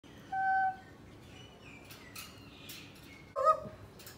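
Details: A pet Black-capped lory imitates a dog, giving two short, hoarse, dog-like barks about three seconds apart at its toy dog, with faint background noise between them.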